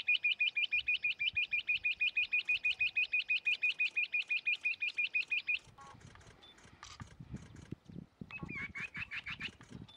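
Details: Rock bush-quail of India, a bird of dry rocky scrub found in pairs or family groups, giving a fast regular trill of identical high notes, about three per second, for over five seconds, then fainter jumbled notes among background noise.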